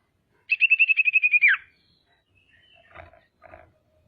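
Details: A female common iora calls to provoke rival birds: an even, rapid whistled trill of about ten pulses ending in a sharp downward slur, followed by two soft knocks.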